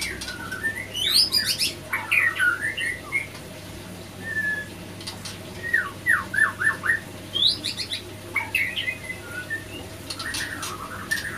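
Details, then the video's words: Male and female white-rumped shama in captivity attacking each other after a failed pairing attempt; varied whistled and chattering notes sweeping between mid and high pitch, a run of short rapid downslurred notes midway, with broadband clicks and thumps of scuffling. "Tanda Murai Batu Tidak Berjodoh"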